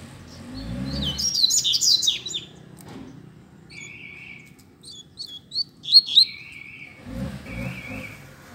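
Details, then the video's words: Double-collared seedeaters in a song dispute. A rapid high jumble of twittering notes is followed by scattered short chips and several lower buzzy trills. Faint low thumps sound at the start and end. "Coleiro Disputa de Canto"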